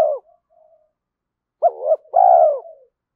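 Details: Spotted dove cooing in early morning to provoke fighting and lure rivals: faint low murmurs, then a loud two-part hoarse coo, a short rising note and a longer sustained falling one, with no other sounds.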